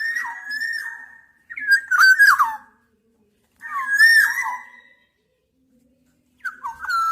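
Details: Black-naped oriole giving four fluty, slurred whistled phrases, each about a second long, dropping and wavering, separated by clean silent gaps.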